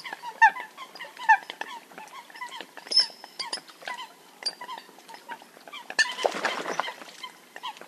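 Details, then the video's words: Eurasian coots in a hunting-call recording: short nasal calls, a few louder sharp notes and a brief drawn-out high tone, then a burst of rushing noise near the end. "Eurasian Coot (Fulica atra) Real Hunting Call Sound"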